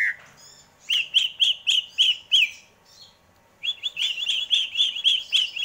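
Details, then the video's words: Greater green leafbird delivering repeated short bright whistled notes, about four per second, in two bursts separated by a brief pause. "Burung cucak ijo, bikin adem indah dengarnya"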